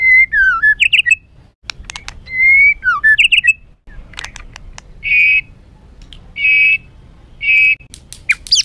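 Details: White-rumped shama in an emotional, rough song used to provoke birds: sliding whistled phrases with flourishes, then three loud harsh buzzy bursts about a second apart.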